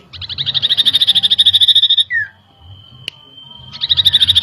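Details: Common iora song used as a lure to make birds agitated: a fast, even, buzzy trill of rapid high notes for about two seconds, then a short down-slurred note, a thin level whistle and a sharp click, before the trill starts again.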